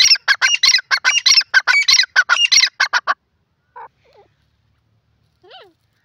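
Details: Grey francolin, known locally as desi teetar, giving a loud shrill series of rapid, harsh, repeated notes for about three seconds, then a few soft, isolated, bending calls before near silence.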